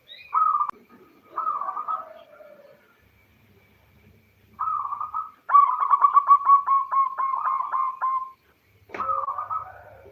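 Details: Local zebra dove, a female calling the male, used to lure males into singing: short bubbling coos, then a long run of rapid, evenly spaced staccato notes lasting about three seconds, ending in another brief coo.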